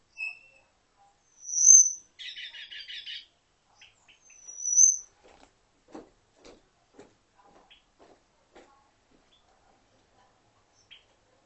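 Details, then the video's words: Red-billed quelea giving a short buzzy, chattering phrase between two thin high whistles, followed by faint scattered ticks and clicks. "How red billed quelea sings"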